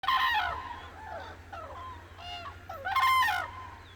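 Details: Cranes awake at dawn on the Hantan River in Cheorwon, central Korean peninsula, giving loud ringing, harmonic calls: a descending burst at the start, softer wavering notes in between, then another strong call near the end.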